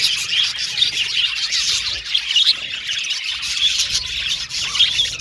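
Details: Several cute budgies in a happy chorus of continuous high twittering, with scratchy chirps and brief whistled notes overlapping in a steady, busy stream.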